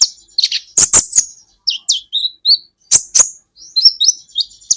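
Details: Kolibri ninja sunbird, recorded for training songbirds: strong high chips in pairs, separated by thin, sliding whistled squeaks and twitters, ending in a soft, wavering high warble.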